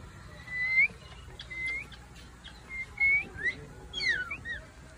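An African grey parrot gives clear, rising whistled notes, about five in five seconds at an uneven pace, with a few soft clicks and a quiet room hum.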